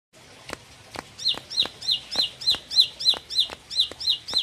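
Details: Four-month-old bar-winged prinia, described as becoming more of a fighter, sings a fast series of bright, down-slurred chevron notes, roughly three per second, with sharp dry clicks ticking between them.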